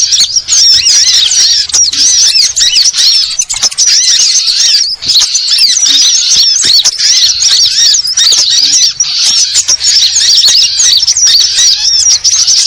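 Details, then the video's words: Sunbird, known locally as burung ribut, in a busy, continuous chorus of sharp, high-pitched squeaks and rapid twitters with only brief gaps, sounding like many small birds calling at once. "Suara Burung Ribut Burcil || KOLIBRI Burung Penghisap MADU"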